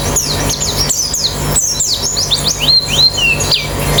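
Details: Rapid white-eye song from a therapy recording for fast singing with an open beak: quick high slurred whistles, first steeply falling, later several rising sweeps and a short flat trill, above a low hum.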